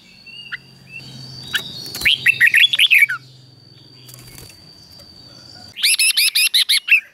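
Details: Red-whiskered bulbul song for caged birds to copy, sung in the doubled style. A short warbled phrase is followed later by a bright burst of rapid repeated notes. A steady electronic tone and a low hum run in the background.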